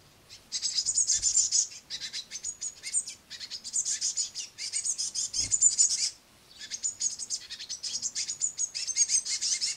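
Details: A brood of great tits at a window sill bird table, fed crushed madeleines by a harried parent, beg with loud, hissing high-pitched chatter in long overlapping bursts, pausing briefly every few seconds.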